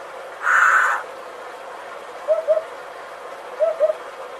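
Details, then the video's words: Hoopoe calling with two paired, low, hollow 'oop-oop' hoots after a short, loud, harsh rasping noise at the beginning. "Hoopoe 후투티"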